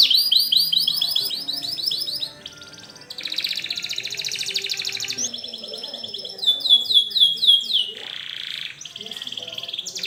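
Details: Lively canary song used as a lure to teach young canaries to sing, shifting quickly between high rolled trills, buzzy sustained tours, rapid sweeping chirp series and short pauses, all high-pitched and dense.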